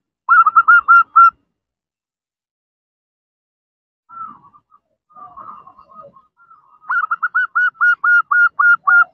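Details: Female zebra dove calling a male: a quick string of short whistled notes, then softer scattered notes after a pause, then a longer run of about eight rising-and-level whistles.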